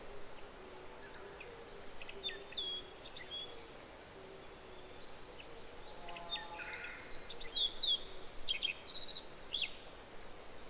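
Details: Japanese yellow bunting sings two bursts of high, thin, jingling phrases with quick twittered notes, overlapped by a Black-faced bunting, over a steady low background hum.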